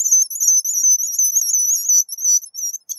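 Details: Three seconds of guillemot whistling: a shrill, quavering high trill that dips and rises, breaking into short separate notes toward the end.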